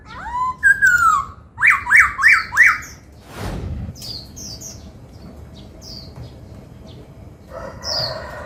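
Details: Laughingthrush being trained in the 'bắt cô trói cột' voice, singing and dancing: a rising then falling whistle, four quick arched notes, a thud, then scattered high chirps from other birds and a brief noisy burst.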